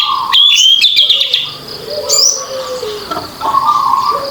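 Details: Orange-headed thrush in full open song, meant to coax silent birds into singing: rapid, varied high phrases at the start and a brief slurred note later, with long level lower whistles and a steady high hiss behind.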